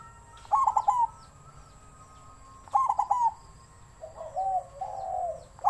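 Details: Captive-bred zebra dove in wild-type voice: two short bursts of rapid, clipped cooing notes about two seconds apart, then a longer rolling, slightly lower purring coo lasting over a second.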